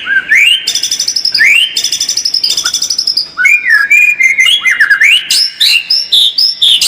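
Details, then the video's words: White-rumped shama singing a lure song meant to make birds more combative: rising whistles break into fast rattling trills, then a string of varied chirpy, slurred notes. "SUARA PANCINGAN MURAI BATU AGAR MENTAL SEMAKIN FIGHTER"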